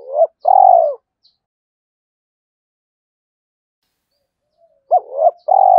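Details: Spotted dove decoy calling to challenge wild males: brief bursts of a hoot and long purring coo at the start and end, separated by several seconds of silence; faint high chirps of another bird.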